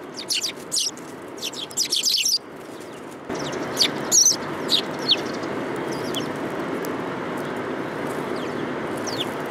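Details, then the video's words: Urban sparrows arriving to be fed on 30 November 2015, giving a busy run of quick high chirps and tweets early on, thinning to occasional notes over a steady city background rumble. "想い出の都会の雀達 3 2015年11月30日 （餌を貰いに来る雀達）"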